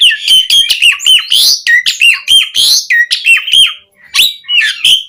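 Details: Asian pied starling in full varied song, recorded as a tutor and teaser for kept starlings. A dense, rapid chatter of clear whistled notes mixed with harsh chirps and squawky rasps, almost without pause.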